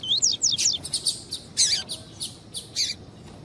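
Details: Double-collared seedeater female calling to excite the male, a dense, lively burst of high rising whistled notes and sharp chips tumbling rapidly one after another.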